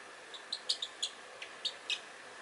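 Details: A pet Pacific parrotlet playing with magnets and a medicine bottle gives about half a dozen short, high, squeaky chirps in quick succession, mixed with a few faint clicks and taps.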